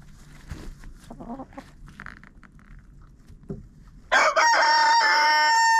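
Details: Chicken in a coop, captured with a GoPro inside: quiet clucks and shuffling for about four seconds, then a loud, buzzy, drawn-out crow bursts in and holds steady until the end.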